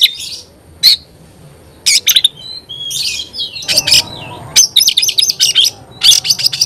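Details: Oriental magpie-robin singing: short sharp bursts of high notes separated by brief gaps, with a few slurred whistles and a rapid stuttering series toward the end.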